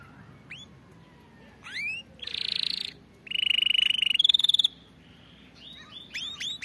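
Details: Canary song, used for training canaries to sing correctly: separated phrases of rising whistled slurs, a buzzy trill and a fast rolling tour, with short silent gaps and soft background hiss.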